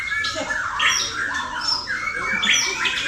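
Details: Competition-trained male White-rumped shama delivering loud, varied song with harsh squawking notes mixed with clear rising and falling whistles, phrases repeating in rapid succession.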